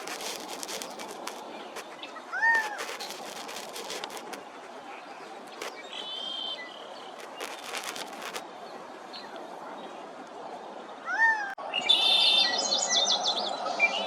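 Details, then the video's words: A male Gambel's Quail looking for a mate, near Tucson, Arizona, in April 2023, gives two loud, slurred calls that rise then fall. The calls are about nine seconds apart, over an outdoor hiss and high chirps from other birds. "Another male bird looking for a mate was this Gambel's quail, singing his heart out."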